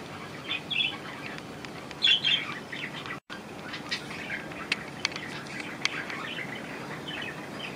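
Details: Budgerigars bathing indoors in a budgie room on 25 May 2018; scattered short chirps and scratchy notes in brief bursts, with splashing-like rustle between them.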